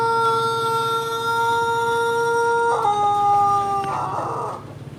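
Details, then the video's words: A Pelung rooster from Sukabumi crows as it sunbathes. A long, steady, drawn-out note is held, then steps upward into a brief wavering ending before the sound fades out. "CACAKAN keur MOYAN tapi ciga anu keur KONTES/GACOR SUARANA"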